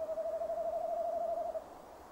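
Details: Male tawny owl calling near its nest box at 17:10 on 15 December 2015, recorded by a nest-box camera: one long, steady, quavering hoot lasting about one and a half seconds, with a faint hiss behind it.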